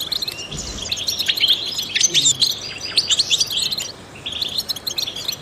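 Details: European goldfinch, trained and used to rouse other songbirds into song, gives a rapid, dense series of bright chirps and twitters, easing off briefly toward the end before resuming.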